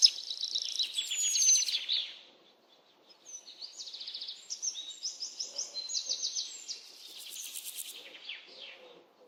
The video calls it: Birds Chirping